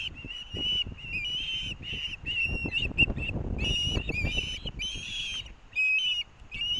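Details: Near-continuous shrill, wavering whistled calls from osprey chicks squabbling over fish brought by a parent, Hellgate nest, Missoula, Montana, 18 August 2024; thumps and rustling at the nest underneath.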